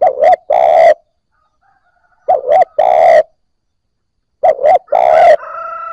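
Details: Spotted dove cooing to stir newly caught birds into calling: a phrase of two short hollow notes and a longer throaty croo, repeated about every two seconds, ending with a faint thin whistled call.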